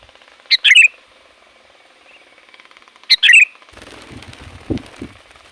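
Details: Sooty-headed bulbul, loud and varied calling used to lure wild bulbuls: two short phrases about two and a half seconds apart, each a sharp note followed by a bright chattering burst, then low rustling and thumping noise.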